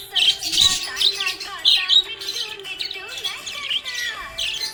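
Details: Pet budgerigar, described as happy, chattering in a busy warble of quick chirps, squeaky rising and falling notes, and scratchy chatter with almost no pauses. Faint steady tones sound in the background.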